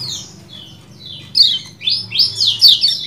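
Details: Lemon-bellied white-eye 'ciak jos' calls: soft, thin descending notes at first, then a cluster of louder, rising and falling shrill chirps toward the end.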